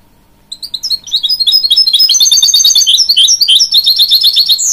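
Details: Hybrid goldfinch, a canary and goldfinch cross, singing to encourage young chicks: after half a second of quiet, a fast, dense run of high twittering and trilled notes builds and continues without pause.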